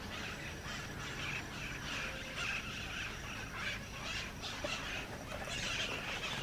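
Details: Flock of White-eyed parakeets around Tambopata Clay Lick, Peru: a dense chorus of harsh, scratchy screeches overlapping continuously with no pauses, over a low background rumble.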